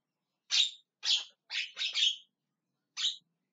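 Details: Loud harsh squawking notes from a Javan myna calling, six rasping bursts given irregularly, roughly every half second, with a short pause before the last; clean background.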